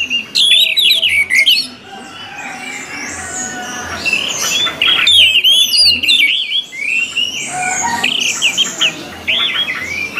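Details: Lively orange-headed thrush song for training the species: fast, varied whistles and squeaky twitters, with high sharp chirps and loud packed passages, over background hiss.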